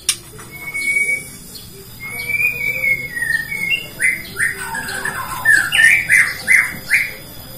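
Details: Bornean white-rumped shama lure song for provoking other shamas, softer here: long level whistles, then a repeated pattern of short upslurred whistles roughly three per second over a steady background hiss.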